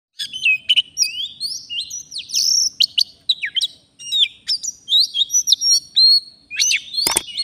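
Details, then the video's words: Wild Oriental magpie-robin recorded during a bird-luring session in the forest, singing a rich, fast medley of sharp whistled notes, rising and falling slurs and scratchy chirps in quick bursts, with no other clear sounds. "Kacer, begini jadinya kalau tidak di ajak duel fighter || full gacor"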